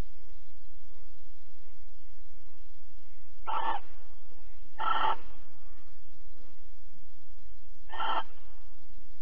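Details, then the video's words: Barn owl at Alphen on 22 April 2020 at 21:37, during mating and cuddling; three harsh, hissing screeches of about half a second each, spaced irregularly over a steady low electrical hum. "Kerkuil Alphen 2020 04 22 Paring en Kroelen"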